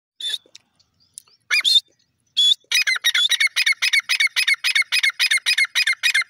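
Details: Grey francolin calling during the crossing season: a few harsh high notes, then a fast run of loud, grating, evenly spaced strident notes repeated roughly four times per second, clear and dominant over a quiet background.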